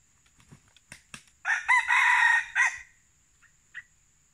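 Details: A wild junglefowl at a decoy trapping session gives a single short, harsh crow lasting just over a second, cut off abruptly, with faint clicks before it and a steady high insect whine behind.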